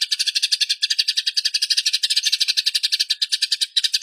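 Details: Eurasian tree sparrow in a fight, captured clearly in a recording meant to train songbirds: a continuous rolling chatter of quick, harsh chirps, roughly twelve per second, without a break.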